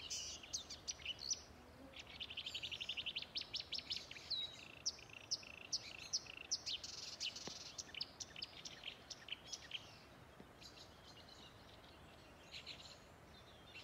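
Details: Marsh warbler song from bushes at Älvkröken, Ljungan river, Njurunda, on 14 June 2021: a fast, dense, ever-changing outpouring of high chirps, trills and clicks, busiest early then thinning out, while a fieldfare joins in with its chattering notes.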